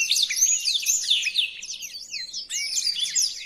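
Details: {'caption': 'Black-throated canary tutoring song: shrill twittering with long sweeping whistles, a short pause, then a fresh burst of rapid chirps, about four notes a second.'}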